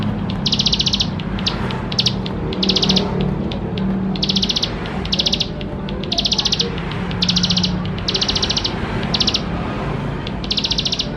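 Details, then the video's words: Bar-winged prinia, played to prompt young birds to start singing, gives rapid high buzzy trill bursts of about half a second, repeated roughly every second, over a steady low hum. "Ciblek Sawah Gacor Full Isian Mewah || Untuk Pancingan Ciblek Sawah Muda Agar Cepat Bunyi"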